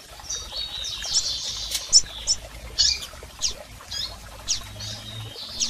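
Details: Female and male double-collared seedeaters calling to stimulate a male: thin high chirps and short descending sweeps spaced irregularly, accompanied by faint clicks and low background hum.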